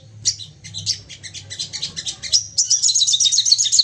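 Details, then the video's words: Excited crested jay firing off calls, meant to bait other birds into calling. Irregular high chatter builds into a loud, dense, rapid rattle with sharp bright notes toward the end. "Sogon emosi nembak bertubi - tubi cocok buat pancingan bunyi dan naikan emosi"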